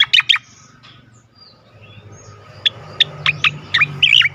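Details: Cica koreng sweet song used as sound therapy for songbirds; a fast cluster of sharp chirps, a quiet gap, then spaced single chirps ending in warbled twisting notes.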